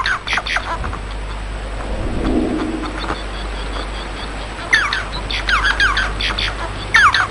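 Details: Bengalese finch singing after a quiet stretch with low rumble: scattered buzzy notes at first, then a lively burst of falling, harmonic-rich notes over the last few seconds.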